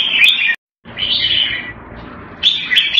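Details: Red-whiskered bulbul in a cage in Singapore, Thai-style keeping, giving short bright chirps, then a longer slurred warble, with a brief break in the sound.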